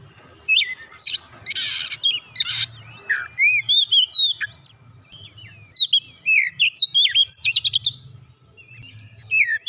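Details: A lively Oriental magpie-robin song used to lure a silent bird into singing. Scratchy harsh notes give way to long sequences of varied whistled slurs, dense chip runs, and a final rising whistle.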